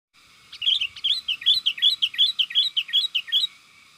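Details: Sooty-headed bulbul recorded as a lure to provoke wild bulbuls into calling: a fast, steady string of about a dozen bright, bubbly chirps, each rising and falling, packed into three seconds.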